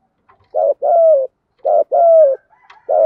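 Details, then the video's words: Thúc gù cooing of a spotted dove: a short coo followed by a long, breathy, gently falling coo, repeated twice, with the start of a third phrase at the end. "cu gáy thúc gù"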